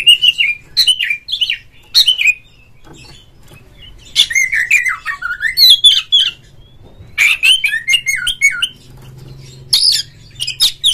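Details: Oriental magpie-robin in lively song meant to prompt others of its kind to sing: varied whistled phrases with sliding and looping notes, scratchy chatter, rapid repeated bursts and brief pauses between bouts.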